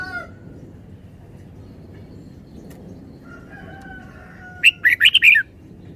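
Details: Red-whiskered bulbul delivers a short, loud phrase of four or five slurred, warbling whistles after a long quiet stretch. A faint, thin whistled tone comes just before the phrase.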